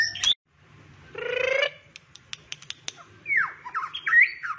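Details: White-rumped shama of the shrimp-tail form in 'rít thuốc lào' song: a harsh, nasal, buzzy burst, a string of sharp dry clicks, then scratchy descending and rising notes, set against a faint low hum.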